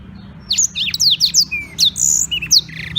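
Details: From Beng in Bali, a black-throated canary used as a song tutor pours out rapid high chips, descending whistled slurs and a short buzzy phrase, with steady low background noise.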